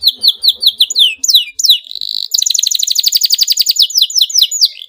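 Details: Canary in excited song with dense rolls, aimed at getting other canaries singing: a series of downslurred whistles, a buzzy note, then a long fast rolling trill of sweeping notes.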